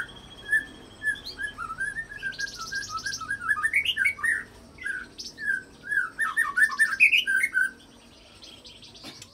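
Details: Fighter-provoking white-rumped shama song with imitated cililin and canary roll material; quick chattering whistle sequences with harsh buzzy bursts mixed in, stopping abruptly near the end.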